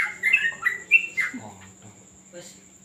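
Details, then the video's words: Yellow-vented bulbul at a terrace training session: a quick burst of four or five sweet chirped notes in the first second, then quieter, with a man's voice speaking low underneath. "ngetrek burung trucuk"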